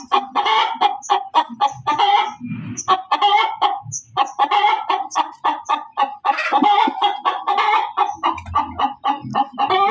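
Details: Loud cackling of a hen, dense harsh clucks tumbling out in quick succession, with brief pauses and some overlapping voices, and a few low thumps near the middle and end.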